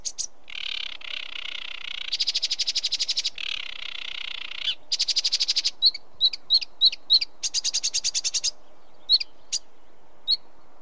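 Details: Sedge warbler song mixing grating churrs and rapid rattling trills with sharp, high isolated chips between phrases; the bursts are separated by short silences.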